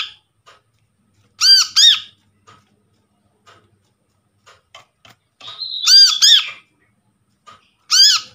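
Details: Brown-throated sunbird calls used as a lure, taken from a trapped bird: paired nasal squeaks, then a drawn-out buzzy note leading into two more squeaks, with scattered faint ticks in a quiet room.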